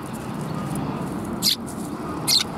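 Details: Two brief, high sparrow chirps nearly a second apart at a Tenmangu shrine, 23 December 2021, over a broad low rumble of background noise.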